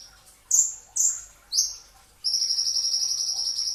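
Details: Brown-throated sunbird, locally kolibri ninja dada coklat, singing 'tembakan rapat' before dawn at sahur as training material: three loud, high, slurred notes followed by a long, fast, buzzy trill.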